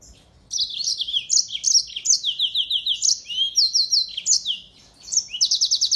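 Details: Caged yellow-fronted canary, a tutor for white-eyes, in lively song: a near-continuous high stream of varied whistled notes and rapid repeated chirps, closing with a fast trill.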